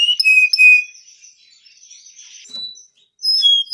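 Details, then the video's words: Canary in lively gacor song for mastering: clear high whistled notes and sliding tones, a soft warbling passage, a brief pause, then loud high whistles resume. "THIS LONG GACOR Canary is suitable for baiting, mastering"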